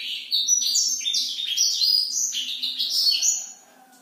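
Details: Energetic nocturnal singing from a black-throated canary: a dense, fast tumble of thin whistled notes and warbles that climb and drop in pitch, fading out near the end.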